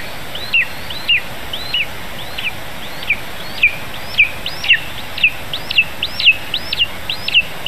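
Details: Nest-cam recording from Zemgale, Latvia, late morning of 15 July 2019: a lesser spotted eagle nestling being fed a vole gives a steady series of about twelve shrill, arched, down-slurred whistles roughly every 0.6 seconds over faint background hiss.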